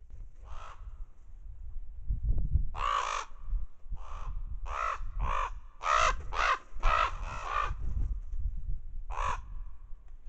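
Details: Ravens feeding on a partially eaten deer carcass, their noise and overhead flights deterring a lone coyote, caught on a trail camera; harsh hoarse caws in loose bursts, some rapid runs of several calls, over low rumbling wind noise.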